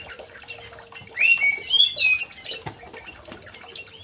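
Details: Aviary recording of a young male white-rumped shama: a clear, varied phrase of looping whistles and warbles lasting about a second, set between quiet stretches with light ticking and a low hum.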